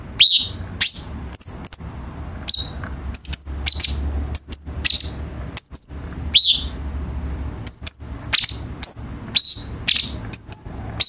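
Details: Song of the cucak cungkok bulbul, played to teach caged birds more varied singing. Crisp, high, down-slurred whistles come in quick irregular bursts, some paired, over a soft low hum.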